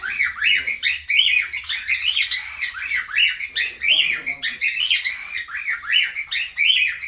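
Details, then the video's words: Cockatiels kept in an aviary, in breeding mood, chatter constantly: repeated arched chirps roughly every few tenths of a second mixed with higher twittering from several birds. "Cockateel Pakhir biding mood"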